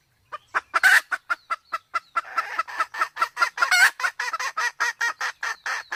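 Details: Sumatran red junglefowl, male and female, female in heat, lure for hunting: accelerating series of clucks with a harsh burst early, growing denser and rougher toward the end.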